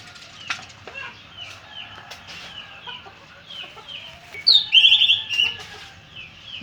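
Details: Orange-headed thrush giving a short, loud burst of scratchy, warbled song midway, set against steady repeated falling whistles from the background.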